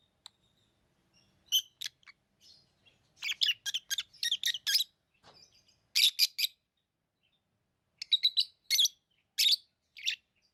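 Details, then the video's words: Tame lovebirds chirping in bursts: clusters of sharp, shrill, rapidly repeated chirps separated by short pauses, some overlapping as more than one bird calls, in a quiet room. "Love birds Sounds | lovebirds chirping sounds| parrot beautiful sounds"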